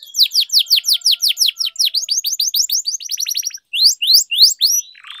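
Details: Training song for canaries, played as a lure for birds that have stopped singing. Long run of about twenty loud down-slurred whistled notes, then a quick chattering roll and a few sharper slurs.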